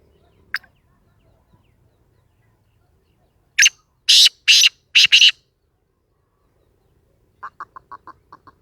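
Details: Sindhi black francolin calling: after near silence, a loud harsh grating phrase of five or six rasping bursts. A quicker series of short, softer clipped notes follows near the end.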